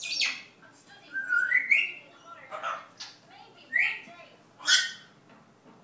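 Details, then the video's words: Pet parrot learning to talk Dutch mixes rising whistled slurs with sharp chirps and rough squawky bursts, several calls spaced about a second apart, indoors with little other noise. "Parrot Learning to talk dutch. Goodmoring, kisses, where were you, barking and whisteling"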